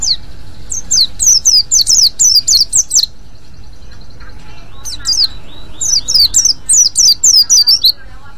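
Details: Ngriwik calling by a white-eye, meant to draw in other white-eyes: two bursts of rapid, piercing, downward-sliding chirps, around nine notes each, separated by a pause of nearly two seconds.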